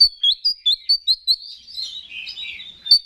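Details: Oriental magpie-robin (kacer) singing as a lure for other males: six bright rising notes in quick succession, each about a fifth of a second apart, then a softer descending warble and one final sharp note.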